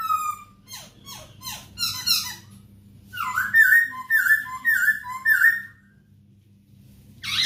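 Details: Masked laughingthrush song for tutoring caged birds: descending scratchy notes, then a rhythmic run of bright slurred whistles about two per second, a quiet pause and a final harsh burst; low hum throughout.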